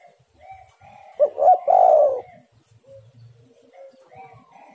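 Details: Spotted dove used to lure other birds: a single phrase of two quick coos and a drawn-out falling note, surrounded by faint whistles of other birds and a low soft hum.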